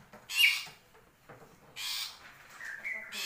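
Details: A black-capped lory from Papua gives harsh, rasping screeches in two loud bursts about a second and a half apart, with a few thin whistled notes between them.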